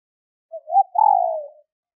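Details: One complete call of a female spotted dove, used to stimulate males: a soft short note, a wavering rising coo, then a drawn-out mellow coo that slowly falls and fades. Clean recording with no background noise.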